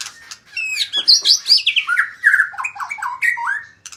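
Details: Loud, rich magpie-robin song: high chirps and whistles that tumble steadily downward into a series of quick, lower, slurred notes with a warbling quality.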